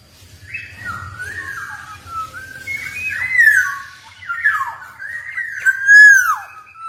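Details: Javan black-naped oriole in lively, unbroken song: a flowing chain of fluty whistles, repeated downward swoops and rich warbles, over a faint low hum in a small indoor space.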